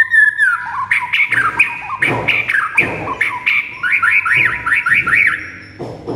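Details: White-rumped shama singing in a training recording: a falling whistle, then a fast run of chirpy, jerky notes that rise and fall, ending in a zig-zag series of quick repeated slurs.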